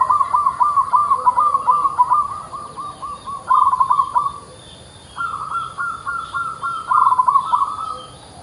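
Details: Local zebra dove (perkutut) singing actively with a distinctive voice: fast staccato runs of soft, purring coo notes on a steady pitch, two long phrases split by a brief pause, over a faint constant high hiss.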